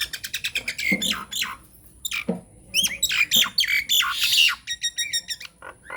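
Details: Nias hill myna in a lure song meant to make silent mynas answer: loud harsh squawks, rapid stacked clicks and whistled notes in quick bursts, with a steady high electrical whine behind.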